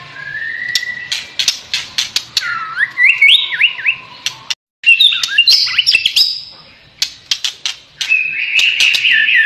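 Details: A pied ("blorok") white-rumped shama sings actively: a rich, varied run of clear whistles, slurred rising and falling phrases and trills, broken by sharp repeated clicks and ticks.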